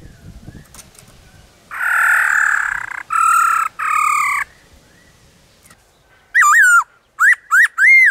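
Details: Wild black-throated laughingthrush singing in the forest with many voices, used to spur caged birds and train young birds. Three loud, rough, harmonic bursts come first, then a quiet gap and four clear, ringing, arched whistles in quick succession.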